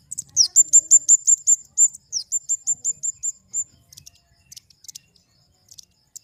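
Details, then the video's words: Flowerpecker delivering a fast string of high, thin, level notes in two runs of about eight each, then trailing off into faint scattered ticks. "Suara burung kemade"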